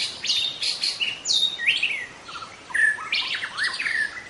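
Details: Young forest white-rumped shama pouring out varied whistled song: pure sustained tones, descending slurs and rising sweeps, each phrase different, delivered briskly with short breaks.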